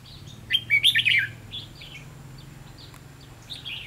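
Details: Red-whiskered bulbul decoy bird for trapping, 7 November 2016: a lively phrase of five pulsed, warbling whistles, followed by quieter answering chirps, with a low background hum throughout.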